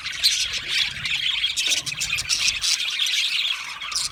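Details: Budgie flock in full voice: thick, continuous high chattering and squawky chirps overlapping from many birds, with only brief dips in intensity.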